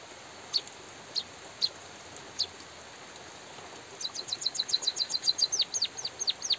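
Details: White-headed munia singing with natural pauses during drizzling rain: a few scattered high chirps, then a fast run of short high notes giving way to thin descending whistles, over steady rain hiss.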